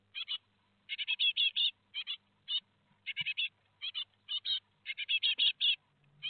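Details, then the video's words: Great tit fledging day, 17 July 2020, Théding in France, four chicks departing: busy strings of high, grating chirps in groups of two to five, steady and insistent. "L'envol des 4 oisillons - 17/07/2020 - Les Mésanges Charbonnières de Théding"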